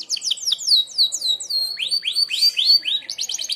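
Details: Canary singing a sharp 'merlok' shot song used for mastering other birds: fast downslurred notes sliding down, then loud rising upswept whistles repeated about four per second, ending in a rapid high trill.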